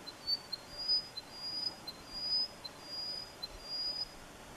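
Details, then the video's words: An Upland pipit gives thin, high whistled notes, short and slightly rising, repeated at an uneven pace over a soft background hiss. "Upland Pipit"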